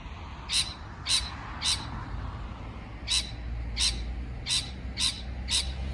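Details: Three raspy parrot chirps, a pause of over a second, then five more in quick succession, each note short and broadband above low background noise.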